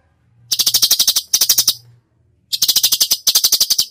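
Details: Cucak cungkok in energetic 'gacor' full 'tembakan' song: four fast machine-gun rattles of crisp clicks, each under a second, in two closely spaced pairs over a faint low hum.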